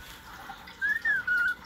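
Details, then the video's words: A cockatoo whines in three thin, whistled notes within a second, the first rising slightly and the last held level, over a quiet background. "THE COCKATOO WHINING"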